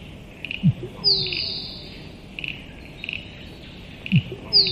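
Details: Musk duck: a low thudding plonk followed by a loud, thin whistle sliding downward, given twice about three and a half seconds apart, over a steady insect-like pulsing buzz.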